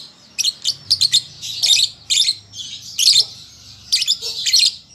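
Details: Young lovebird learning to sing: bursts of shrill, scratchy chirps in quick clusters separated by short pauses, some phrases dense and rapid, others single sharp notes.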